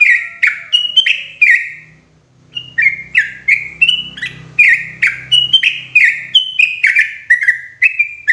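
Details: Sooty-headed bulbul lure call, loud and clear, for trapping bulbuls in the forest: rapid bubbly chortled notes stepping up and down, a brief pause near two seconds, then more notes over a low humming background.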